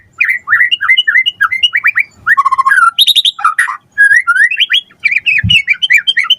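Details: Energetic white-rumped shama song for luring a response: rapid strings of rich whistled phrases, a buzzy high burst, then quick rising whistles, with a short thump partway through.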